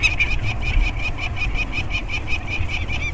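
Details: Peregrine falcon calls at an Anacapa Island nest scrape during the banding of two 30-day-old chicks in May 2022, with both parents in the area. Quick, regular, grating notes are set against a heavy, low, droning background.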